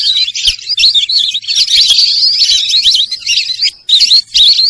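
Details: Sarail birds chirping: rapid high-pitched twitters and wavy whistled notes, nearly unbroken, then a brief silence followed by a few more sharp chirps.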